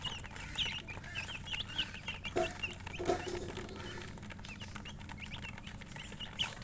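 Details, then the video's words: Baby chicken chicks peeping softly: scattered short high chirps from several birds, a couple of lower clucking sounds near the middle, over steady low background hum. "Baby "Chicks Chirping" Sound"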